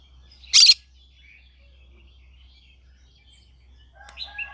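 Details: Green-cheeked conure singing in the morning: one loud, harsh, grating screech, then near silence and a few soft chattering notes at the end.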